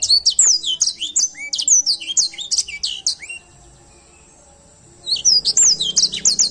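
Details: Edel Sanger canary in full voice, quick high twittering with steep swooping whistles and a few lower slurred notes, a thin sustained whine during a two-second pause, then more rapid chirps.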